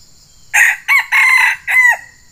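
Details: Wild Sumatran red junglefowl rooster, lured by a decoy fighting bird it came to fight: one short, clipped crow in four quick, harsh syllables, the last ending abruptly, over near silence.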